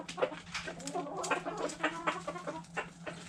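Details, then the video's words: Backyard hens eating food scraps, giving soft, overlapping harmonic clucks in quick irregular bursts, with scratchy pecking and rustling throughout and a steady low hum underneath. "Hens Clucking Roosters Crowing"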